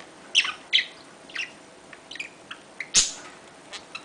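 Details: Budgerigars during mating give sharp, scratchy chirps, mostly high-pitched, in irregular bursts about every half second, with one louder harsh note near the end.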